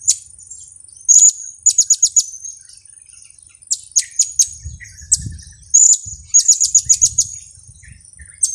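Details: Blue-crowned hanging parrot giving its kiak-kiak lure call, used for trapping: bursts of three to five rapid, sharp, very high squeaky notes, repeated several times, over a steady high hiss with faint low thumps.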